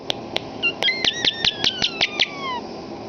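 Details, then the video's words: A pet common starling that loves to talk and mimic human speech gives a quick run of sharp clicks, each joined to bright whistled notes about five times a second. The run ends in a long, falling whistle. "Talking Starling"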